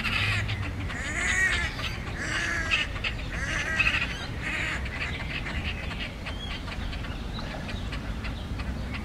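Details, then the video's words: Great crested grebes (Podiceps cristatus) fighting, possibly territorial behaviour: harsh, grating, barking calls in irregular bursts over steady water splashing and a low background rumble. "Great Crested Grebes Fight"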